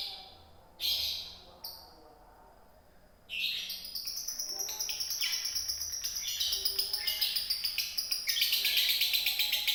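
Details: A few short high bursts, then a lovebird in Indonesia launches into continuous konslet chattering, rapid metallic ticks layered with shrill buzzy tones that grow louder toward the end.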